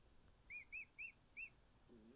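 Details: Emu chick, a male a little over a week old, cuddling with its keepers; four high, clear whistled peeps, each briefly rising then falling, spaced about a quarter second apart, over quiet room hiss with a soft rustle at the end.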